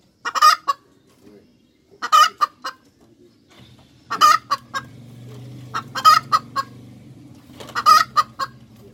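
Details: ['Cackling hens give loud rasping phrases about every two seconds, each a burst of several harsh clucks with a ringing tone, while a low steady hum rises under the second half.']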